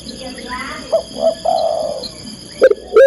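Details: Calling to attract a male, a female spotted dove gives a low soft coo sequence of two short rising notes and a long steady coo, then loud abrupt arched notes at the end.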